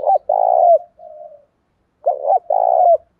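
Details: Spotted dove in the Đồng Pha singing style, provoking fights and prompting caged doves to coo. Two loud, resonant coo phrases, each a short note followed by a longer coo, are joined by a softer trailing coo.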